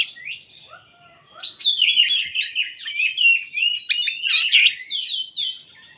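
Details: Oriental magpie-robin song used to lure lazy birds into singing: a rich, varied run of whistled and slurred phrases mostly high, with sharp upsweeping notes and rapid chattering bursts after a quiet start.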